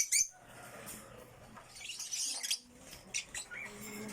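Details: Violet African lovebirds kept in a backyard, including a single factor violet bird, giving scattered harsh chirps and squeaky bursts with quiet gaps between them, fairly soft and distant overall.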